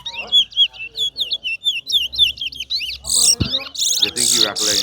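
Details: A large-billed seed finch known as towa towa sings in competition: about three seconds of quick, evenly spaced whistled notes bending upward and downward, then loud rasping bursts and a voice.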